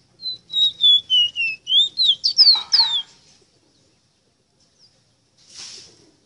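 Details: Ruddy-breasted seedeater singing a tutor song for captive birds: a series of separate whistled notes, stepping down in pitch, then brisk rising and falling slurs. The song ends about halfway through, followed by a faint breathy sound.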